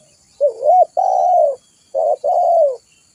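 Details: Spotted dove, recorded as a lure for wild doves and a tutor for captive ones. Two low cooing phrases close together, each a wavering short note and then a longer smooth coo that slides down at its close.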